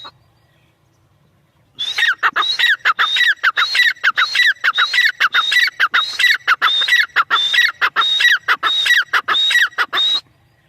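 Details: Teetar, or partridge, begins after a brief quiet start, then delivers a fast, steady run of grating notes with clear whistled upslurs at the top, phrases following each other almost without pause until the end.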